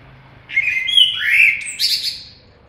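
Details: Common blackbird singing one phrase: low, mellow fluted warbling that runs into a sharp, high squeaky twitter at the end, on a quiet background.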